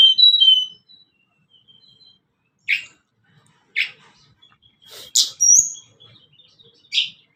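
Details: Song of the Sunda blue robin (tledekan gunung), kept as a lure for newly caught and adult birds: a short warbled opening, faint thin whistles, then loud sharp chips about once a second with a brief bright whistle.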